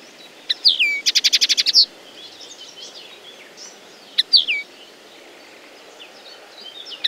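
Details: Common linnet song opening with a fast, even trill of about ten ticking notes, followed by scattered soft twitters and, later, a short falling phrase.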